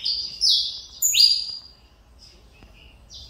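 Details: Saffron finch (canário mineirinho) kept by a breeder, still in pin feathers and returning to song after almost two years; loud, shrill, sweeping notes, one sharply rising, then softer short chips trail off.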